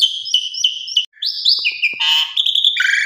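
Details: Asian pied starling (Gracupica contra), female calling to a male: a rapid string of clear whistles and harsh, chattering notes, high-pitched and varied, with a brief pause after the first second.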